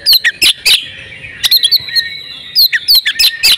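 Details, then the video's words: Female oriental magpie-robin in breeding condition, a call meant to set males singing: loud sharp chips at the start, a drawn-out thin whistle in the middle, then more rapid high chirps. "pancingan kacer jitu "AUTO" kacer bisu langsung gacor ngobra \\ kacer betina birahi"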